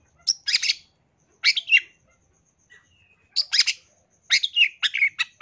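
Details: Long-tailed shrike training song packed with fill-ins and rapid bursts: four clusters of harsh, buzzy chattering notes with sharp high accents, separated by short silences, plus one faint thin whistle midway.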